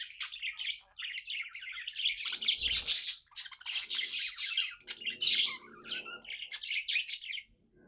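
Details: Contented pet budgerigar warbling loudly: long stretches of harsh, buzzy chatter and grating notes, rising to loud squeaky bursts in the middle, then softer chirps before fading out.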